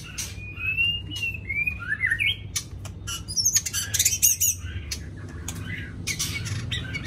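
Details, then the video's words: White-rumped shama singing in the morning: clear whistled phrases, some sliding up and down, followed by sharp high chirps and clicks, over a steady low hum. "Chòe lửa hót sáng nghe vẫn sướng"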